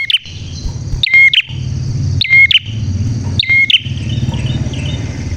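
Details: Clear, vigorous prinia song of piercing high chirps, three spaced bursts each about a second apart, followed by softer twittering notes, with a steady low hum in the background.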